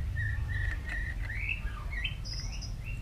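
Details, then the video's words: White-rumped shama singing in a fighting, voice-training style; softer sliding whistles, some level, some rising or dipping, over a steady low rumble. "Tiếng choè lửa hót đấu luyện giọng căng lửa"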